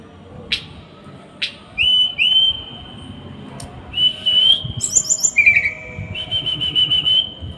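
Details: Small bird's masteran song with close, rough tembakan phrasing. Two sharp ticks lead into sustained level whistles, then chattering high notes and a lower buzzy whistle before the steady tone returns.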